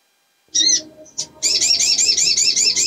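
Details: Pin-striped tit-babbler, a female in breeding condition calling to lure males: two short high notes, a pause, then a steady run of about ten rapid, high, rising notes with a faint low background hum.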